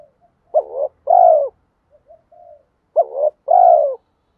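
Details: Spotted dove cooing meant to entice wild doves. Two hoarse phrases, each a quick throaty note and then a longer, purring, downward-curving coo, are separated by a few faint soft murmured notes.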